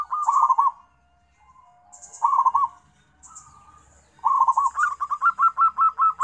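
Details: Zebra dove, local type, calling companions: three short bubbly trilled coo phrases separated by quiet gaps, then a longer run of staccato rising coos repeated steadily to the end.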